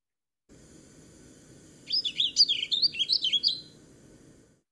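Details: Warbling Vireo song, a species arriving in May around lakes of Victoria, Vancouver Island: a rapid, bubbly, variable run of about a dozen high, tumbling up-and-down notes lasting under two seconds, over a steady low hum; finding: Warbling Vireo.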